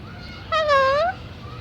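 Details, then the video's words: Talking parrot at Manila Zoo, Philippines, recorded March 2, 2017: one drawn-out, rich, harmonic note about half a second long, dipping slightly and then rising, rather like a cat's meow, with faint background hiss. "Talking Parrot"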